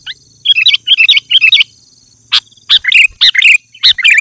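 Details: Sooty-headed bulbul singing energetically to lure wild bulbuls: three quick, matching chirpy phrases, a short pause, then louder bubbly notes repeated about every half second.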